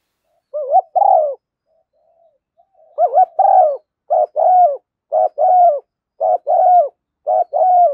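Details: Spotted dove decoy calls, a female used to stimulate decoy doves into calling, with thúc gù and gáy gọi styles: mellow two-part coos, a wavering lead note then a longer hoarse one, repeated roughly once a second after a brief pause.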